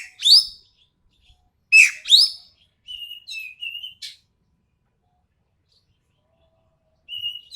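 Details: Common green magpie of Sumatra, described as sharp and harsh: loud rasping upslurred notes in pairs, followed by a string of softer, thin chattering notes and a final faint phrase after a pause.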